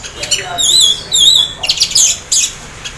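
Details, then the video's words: Anis merah singing teler-style while half in breeding condition, used to stir other orange-headed thrushes into song; wavering warbled high whistles repeated twice, followed by harsh chattering bursts. "anis merah teler setengah birahi bagus untuk pancing anis lain agar ikut bunyi"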